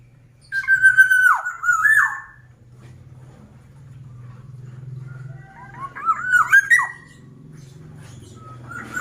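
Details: Black-naped oriole in animated song: two warbling whistled phrases with downward slurs, about five seconds apart, over a steady low hum in the background.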